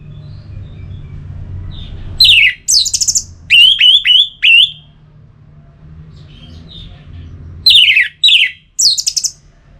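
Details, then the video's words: Song of an orange-headed thrush from north Bali, played to stimulate singing: loud clusters of high squeaky notes and repeated down-slurred whistles, with quiet gaps and a constant low hum. "Suara Ini Bisa Membangkitkan Burung ANIS MERAH agar Jadi Gacor dor"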